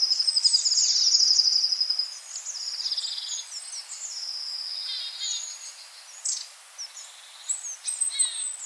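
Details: Long-tailed tit in a yard at Joroinen: loud, high, buzzy rattling trills at the start, then fading thin twittering notes and scattered sharp chips.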